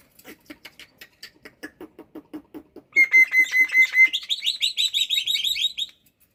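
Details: Kept black-winged myna singing vigorously in the morning: about three seconds of rapid dry clicks repeated roughly twice a second, then a steady whistled note held for a second, followed by fast buzzy chattering notes that fade out.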